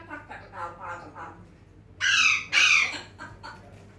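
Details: Pet African grey parrot, a talker and whistler that calls names, first making soft mumbled speech-like sounds, then two loud, harsh, drawn-out squawks about half a second each, with quieter chatter after.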